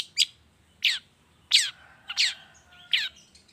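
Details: Long-tailed shrike in the morning, a lure recording meant to make other shrikes sing: five short harsh, scratchy downslurred notes spaced roughly every 0.7 seconds, with a faint steady tone between them.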